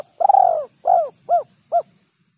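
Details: Spotted dove lure call with the rarely heard kuk 3 ending: a long tremulous rolling coo, a softer mellow coo, then two short evenly spaced kuk notes, with a faint low hum underneath.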